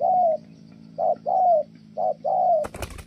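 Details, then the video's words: Spotted dove cooing in the 'thổ' style, Kon Tum, just as a female interrupts. Drawn-out falling hoots alternate with short ones, then a sudden loud rustling clatter cuts the cooing off. "Thổ Âm Tốt, đang gù ngon thì mái phá đám"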